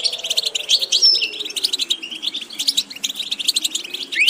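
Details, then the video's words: European goldfinch song of quick chirps and tinkling twitters with a brief high whistle near one second and an upward slur at the close, faint low drone behind. "Watch how to develop a distinctive vocal character for the Goldfinch"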